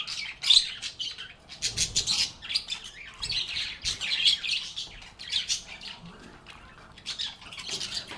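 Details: Budgies singing and chirping together in a peaceful setting: near-continuous scratchy, twittering chatter with shrill high chirps, rising and falling in loudness without a fixed rhythm.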